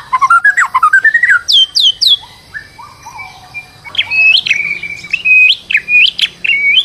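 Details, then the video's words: Stressed white-rumped shama used to lure another bird into song: a rising run of stepped whistles, then high downslurred notes, later steady repeated whistled phrases with chips. "PANCINGAN MURAI BATU STRES AGAR GACOR"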